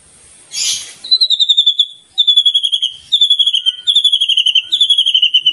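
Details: Champion contest white-rumped shama utters a high, thin, repeated whistled trill in several short bursts, after a brief rustling noise at the start.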